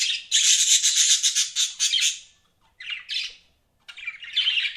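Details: A budgie delivering a loud, fast rattling warble of rapid chirps, then two shorter scratchy bursts after a pause.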